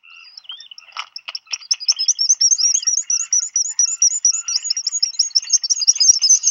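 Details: Black guillemots in a burrow, Seal Island National Wildlife Refuge, Maine, USA, 27 June 2020, one parent arriving with chick food as the other leaves to forage: scattered pips accelerating into a fast, steady, high whistled twitter.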